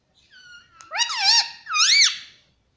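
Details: Sweet-voiced talking parrot that says "mummy papa" produces a steady tonal note followed by two loud, wavering, speech-like syllables rising and falling in pitch.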